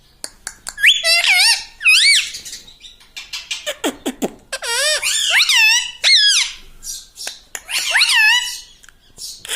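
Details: Talking household parrot, taught 'mitthu' and 'mummy', chatters in quick strings of high, bending, speech-like syllables with a few lower dipping notes in the middle and light clicks throughout.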